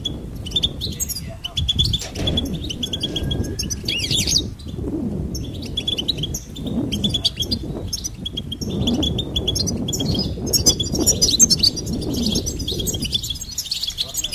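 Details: Goldfinch singing in long twittering phrases of bright chirps and trills, broken by a few short gaps, with steady low background rumble.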